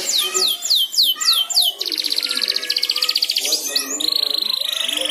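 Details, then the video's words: Young canary learning to sing, prompted by another canary's song: several sweeping downslurred whistles, then a long fast buzzy trill and a steady high rattling trill. "Suara Burung Kenari Belajar Ngeriwik, manjur mantap kena pancingan suara kenari lain"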